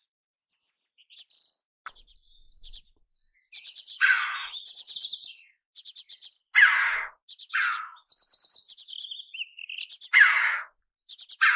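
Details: Red-billed chough calls: loud, harsh, rasping bursts repeated several times, mixed with many high, thin chirps and twittering notes from other small birds.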